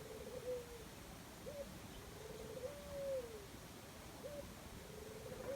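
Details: In the jungle, a dove coos in low, mellow phrases: a brief lift, then a trembling, slightly falling note, repeated about every two to three seconds over faint background hiss.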